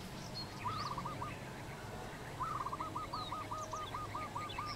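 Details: Yellow-vented bulbul feeding on fruit. A short run of looping bubbly notes, then a longer string of about ten rolling notes in quick succession, over steady outdoor background noise with faint other chirps.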